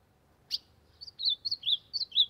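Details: Ultramarine grosbeak (azulão) singing to warm up: a sharp opening note, then a string of clear whistled notes sliding down in pitch, each short phrase repeated in quick succession.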